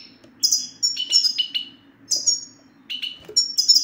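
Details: Goldfinch twitter played to prompt a quiet male to sing: a few bright, slurred chirps and tinkling notes in quick groups, with pauses between, above a faint constant hum.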